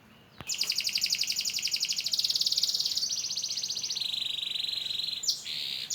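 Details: AF canary learning to sing after moulting gives a long, dense, high buzzy trill, held steady for several seconds, shifting slightly lower partway through, after a click at the start.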